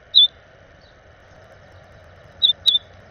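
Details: Orchard oriole at a camera on a snowy morning, May 8, 2020: three short, sharp, high chip notes, a single one first, then a close pair about two seconds later, over a steady low hum.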